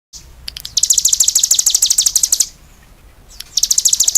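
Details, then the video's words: Cigun bird singing vigorously: a fast, high, rattling trill of sharp repeated notes, about ten per second, running for under two seconds, then a pause and another burst beginning; a few clicks before the trill. "suara burung CIGUN gacor"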